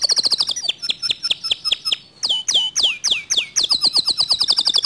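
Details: Canary whose song is said to provoke other canaries to sing. It moves through rapid high chips into evenly paced swept notes and a few loud down-slurred whistles, then returns to a fast high trill.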